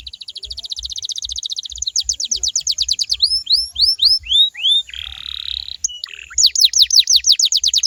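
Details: Canary song to coax other canaries into singing back: a dense fast trill, then spaced upward-flicking whistles, a rasping buzzy passage, and a return to quick falling notes, with rhythmic low thumps.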